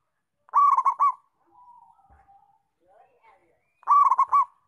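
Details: Local zebra dove in full voice, two phrases of fast pulsing coos each closing with a prolonged note, separated by quiet soft murmurs and faint scratchy sounds.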